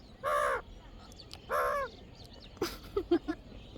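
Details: Caged pet parrot asked to call again, answering with two hoarse, crow-like caws about a second apart, followed by a burst of noise and several short soft clicks and chatters.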